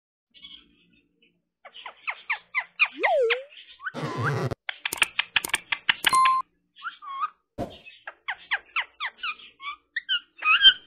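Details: Pet Indian ringneck parrot indoors giving a rapid, varied run of short chirps, squeaky upswept whistles and clicks, broken by a brief noisy burst midway, then resuming with quick bright chirps and a few sliding notes.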